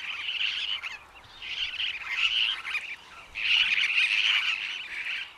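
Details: Superb parrot (Polytelis swainsonii), also called Barraband's parakeet: harsh, warbly screeching in two dense bursts separated by a short pause, strong and continuous, with no other clear sounds.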